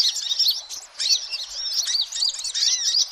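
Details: Noisy sunbirds, a recording used as a lure for attracting all kinds of sunbirds: dense, overlapping high-pitched chirps and short down-slurred twitters, nearly continuous with a brief lull near one second.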